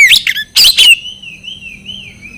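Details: Brief magpie-robin phrase from a training recording for silent birds: two loud scratchy bursts followed by a long, softly wavering whistle.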